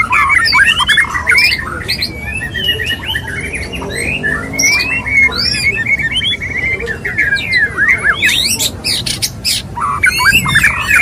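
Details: Male white-rumped shama courting a female: dense, fast medley of rising and falling whistles, slurred sweeps and sharp clicks, with bursts of harsh chatter throughout and a quieter stretch in the middle.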